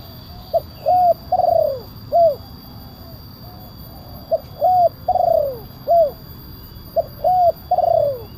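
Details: Big-voiced spotted dove calling in the kuk 1 style, a lure for wild doves: three repeated four-note phrases of low mellow coos, the third note long, quavering and falling, with pauses between phrases.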